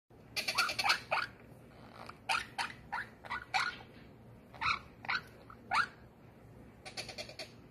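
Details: A white silversilk colour monk parakeet gives harsh, squawky chattering calls in short bursts, a few notes at a time with brief pauses between.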